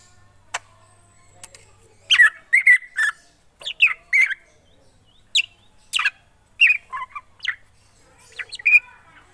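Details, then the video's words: Black drongo in vigorous song, sharp clicks and harsh squawking notes mixed with short whistles in clustered bursts separated by brief pauses. "Srigunting krantil gacor"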